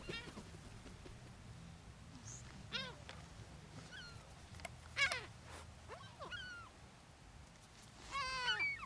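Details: Gulls on the beach at Brean Sands, Somerset, England, in April 2013, calling while being fed; scattered, falling squeals and short yelps come every second or two over a low rumble of surf and wind.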